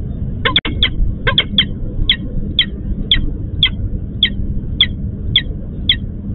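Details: Repeated calling of a female peregrine falcon summoning the male, who did not show up to swap at the nest, EC4 plant, Łódź, Poland. Harsh clipped notes, a quick double burst, then spaced evenly about every half second over low droning noise.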